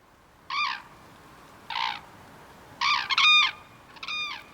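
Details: Red-crowned crane by the Imjin River in the Korean DMZ, wild, calling in loud, ringing, harmonic bugles, about five calls spaced roughly a second apart, the later ones paired, over steady broadband background hiss.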